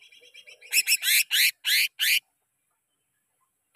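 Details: Greater green leafbird lure song for caged-bird training: soft twittering notes that build into six loud, harsh, buzzy bursts in quick succession, followed by silence.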